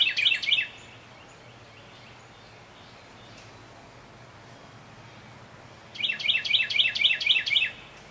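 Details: In a wooded yard on the North Carolina coastal marsh near Wilmington, a Carolina Wren of unknown sex sings near its nest of hatchlings, possibly as a warning. It gives two loud bursts of rapid, rolling whistled phrases with a quiet pause between.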